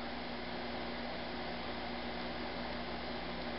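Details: Steady indoor mechanical hum, like a fan or air conditioner, fills a small room, with no animal voice heard.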